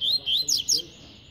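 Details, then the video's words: Short fragment of tui-tui song from a double-collared seedeater: four quick high notes, two lower sliding whistles followed by two sharper, higher descending notes. "COLEIRO TUI TUI"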